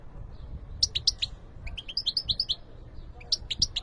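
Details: European goldfinch singing: quick clusters of high, sharp twittering notes in three bursts separated by short pauses, over faint low background rumble.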